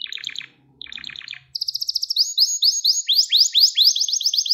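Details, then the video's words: Gloster canary training song to arouse and excite males. It opens with two short chattering bursts over a faint low hum, then a rapid high trill and a series of rising slurred notes repeated about twice a second. "Gloster Kanarya Eğitim Sesi Canlı Görüntü | Gloster Kanarya Ötüşü Erkek Huylandırma Ve Kızıştırma"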